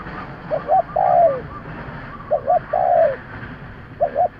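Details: Spotted dove lure call: repeated phrases of two short coos followed by a long, gently descending coo, coming about every one and three-quarter seconds over low rumble.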